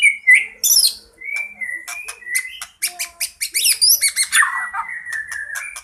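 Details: Fighting white-rumped shama with a fill-rich song used to lure birds: level and sliding whistles interspersed with rapid buzzy chatter, ending in a warbled phrase and a long whistle.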